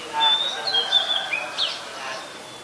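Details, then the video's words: Oriental magpie-robin in Ubon Ratchathani, Thailand, 7 January 2021, a very common resident: drawn-out thin whistles and a sharp rising slurred note, bright and high, with fainter chatter of other birds beneath. "นกกางเขนบ้าน (Oriental Magpie Robin)"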